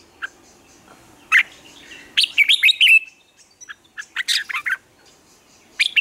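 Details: Morning song of a red-whiskered bulbul meant for training other birds: bright, fast chirped phrases with sharp rising and falling whistles, delivered in clusters separated by brief silences.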